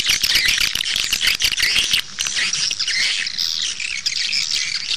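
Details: Swiftlet calls played back outside nest houses to attract birds: a dense, continuous mass of high chattering chirps and twitters from many overlapping callers, with quick sharp notes in the first two seconds.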